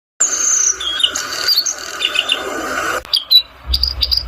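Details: Bluethroat singing a varied run of high whistles, slurred notes and quick chirps with a steady background hum, a brief pause, then clipped repeated high chips.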